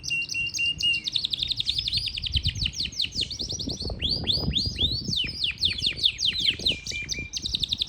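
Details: Singing Yorkshire canary in Parachinar delivers rapid rolling trills that shift into loud arching sweeps and buzzy rattles, continuous and energetic, over faint low background rumble.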